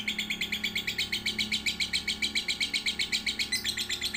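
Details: Lovebird song made to train young lovebirds aged one to three months: an unbroken string of quick, high, bright chirps, about six per second, steady throughout, with a low hum beneath.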